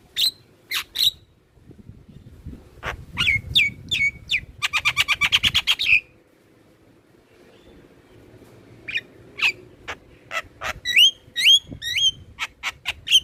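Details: Black-winged myna song used as a lure and master recording to stimulate captive mynas and other starlings to sing: bursts of sharp chirps and harsh notes, a rapid rattling series, then repeated whistled upslurred notes.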